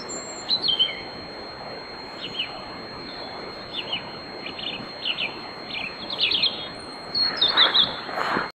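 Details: A European robin warming up at night before dawn in a riverside grove in Bóveda, Lugo, Spain, delivers a run of short, high, tinkling phrases, each a few quick notes, growing busier and louder toward the end over soft background hiss.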